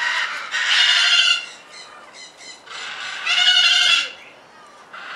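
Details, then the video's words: Captive red-fronted parakeet (Cyanoramphus novaezelandiae) at Avifauna, Alphen aan den Rijn, Holland: two long grating, nasal chatters with short clipped notes between them, then a final burst starting near the end. "red fronted parakeet"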